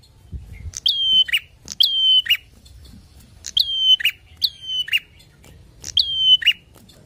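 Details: Bar-winged prinia singing loudly to stir up rival birds: five strident phrases of a shrill whistle sliding down and holding, finished with a grating buzz, spaced roughly a second apart with one longer break.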